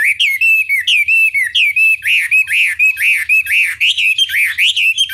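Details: Chinese hwamei song from a lure recording intended to make other birds reply. Strong, rounded whistled notes arc up and down in steady succession, roughly two per second, with high overtones.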